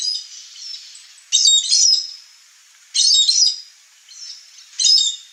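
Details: Chestnut-eared aracari, wild, visiting a Cerrado backyard in Brazil: three loud, scratchy, high squeals spaced over about five seconds, each slightly drawn out, with faint softer notes between.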